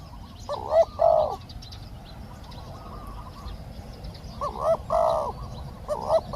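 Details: Spotted dove heard in a Thai decoy session, with a caged bird calling a wild one. A pair of loud coos is followed by a quiet gap, then the same coo pattern returns twice near the end.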